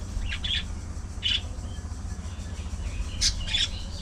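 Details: Social colony of budgerigars. A few short, high chirps come in brief separate bursts, with a quiet pause in the middle, over a constant low background hum.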